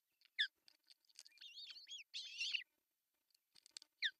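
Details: Ospreys at a nest-cam site in Pohjois Satakunta, Finland, on June 10, 2024, with the male arriving with a large fish. Scattered clicks lead into a burst of shrill, wavering whistles, then quiet and a single sharp note.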